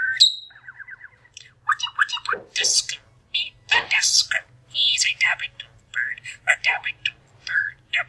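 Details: Pet budgerigar chattering indoors in a small room: a sharp whistle, then a busy run of warbled, scratchy notes and clicks at varied pitch with short pauses, plus faint mimic-like speech-ish sounds.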